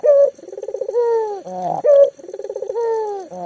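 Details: Local collared dove, called lively and used to coax mute doves into song, giving a loud clear note followed by a pulsed, trembling low coo and a drawn-out falling tone, twice over.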